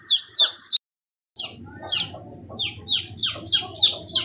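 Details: Fifteen-day-old hen chicks: three piercing peeps, a moment of total silence, then a run of about nine high, downward-sliding cheeps quickening toward the end.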